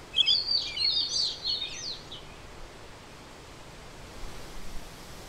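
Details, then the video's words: European robin singing: a thin, high, quick twittering phrase of trills and squeaky notes for about two seconds, then only a loud steady rushing noise. "울새(European Robin) 입니다..^^ 이번엔 노래합니다..^^"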